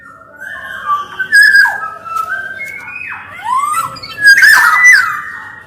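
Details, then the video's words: Black-naped oriole singing steadily: a smooth run of mellow whistles sliding up and down, with a rough, buzzy phrase near the end and short gaps between notes. "SUARA KEPODANG EMAS GACOR"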